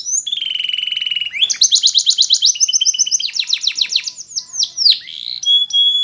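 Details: Canary song for training: a clean, varied sequence of pure whistled notes, fast even trills, rapid descending sweeps and a sustained high tone at the end, with no background noise.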